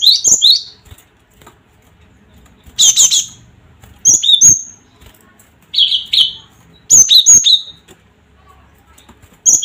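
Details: Gelatik batu (cinereous tit) calling to rouse rivals' fighting spirit: scattered bursts of sharp whistled notes, some paired high and low, others dense ringing clusters, spaced every second or two across the recording.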